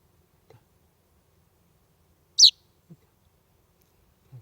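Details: Common chaffinch fledgling at a house door on a warm summer evening in July, Estonia; one sharp high chirp in near silence, with faint low taps before and after.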